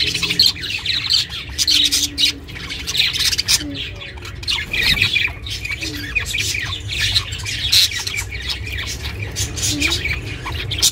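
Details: A pet budgie, recorded as company for budgies living alone, chirps in a rapid stream of harsh, buzzy high notes and squawks, pausing briefly midway, over a low background hum.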